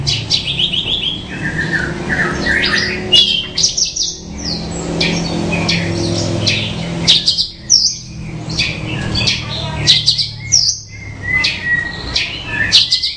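A bushlark pours out a varied, high song of quick whistles, chirps, trills and harsh squawky notes in rapid bursts, over a steady low hum.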